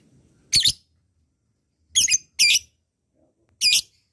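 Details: Lovebird calling to coax slow-singing lovebirds into long chattering (ngekek panjang): four short, harsh, high squawks, each about a quarter second, spaced irregularly with quiet gaps between and no other clear sounds.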